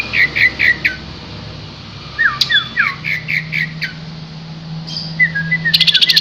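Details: Green leafbird singing in Yogyakarta, lively and energetic: short groups of slurred downward whistles repeated three or four times, pauses between phrases, ending in a fast buzzy chattering burst; a low steady hum underneath.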